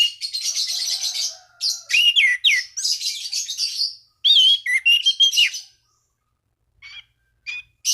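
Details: Orange-banded thrush calling rivals, its song used to spur other thrushes into singing: long rich phrases of buzzy trills and clear rising and falling whistles, ending with sparse soft notes.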